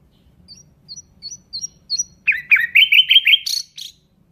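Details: Nightingale song beginning with five soft, rising whistles spaced evenly, then bursting into a loud, rich rattling trill of rolling notes.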